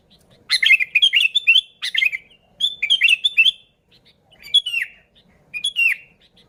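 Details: Sooty-headed bulbul song meant to lure bulbuls: a rapid bubbling run of chirpy notes, then shorter phrases, ending with single down-slurred whistles spaced about a second apart.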